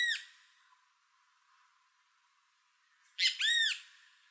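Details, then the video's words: Great Kiskadee (Pitangus sulphuratus) calling while feeding in Costa Rica. A short harsh note opens, then quiet, then a loud burst of two or three arched, harmonic-rich notes near the end. "Great Kiskadee Calling and Feeding"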